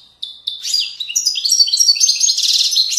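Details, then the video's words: European goldfinch, authentic Moroccan widani song recorded in 2020: two clipped tweets open, then a fast, rising cascade of bright twittering and rattling trills that grows louder and denser. "تغريد ويداني أصيل من ضفاف الوديان المغربية goldfinch hason chant widaniya chardonner 2020"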